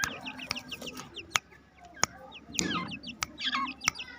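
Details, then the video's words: A flock of two-month-old black francolin chicks, happy when let out in their aviary, gives rapid, high, downslurred chirps in overlapping runs, punctuated by a few sharp clicks. "Two Months old Irani Teetar Chicks Voice Full Video Happy Due To Open In Home My Birds Aviary"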